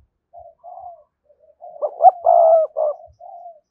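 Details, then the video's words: Single spotted dove phrase used to attract wild doves: soft opening coos, then two sharp notes and a long, rich, level coo, ending with a quieter falling note. "cu gáy kích bổi hiệu quả/ giọng nhạy bổi nhất hiện nay"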